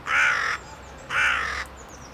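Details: Hooded crow (Corvus cornix) in Prule, Ljubljana, Slovenia, on 18 January 2023, giving two harsh, hoarse caws, each about half a second long and a second apart, with faint background noise between.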